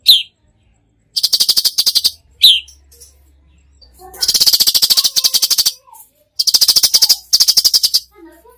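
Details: Cucak cungkok in full, lively 'tembakan' song, used as a tutor recording: loud rapid dry rattling bursts, each about a second long and made of fast even ticks, with short gaps and a brief rising whistle.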